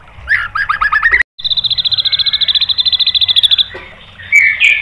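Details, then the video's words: White-rumped shama song used as a provoking master: descending chattered notes, then a long, fast, even mechanical trill lasting about two seconds, ending in a bright whistle. "MASTERAN MURAI BATU memancing EMOSI JADI NYAUT BUNYI"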